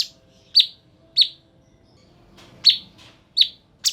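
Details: Cucak cungkok bulbul in energetic song, used as a tutor recording for songbirds: four loud, clipped chirps slurring downward, irregularly spaced, with a brief harsh note at the close and a low background hum.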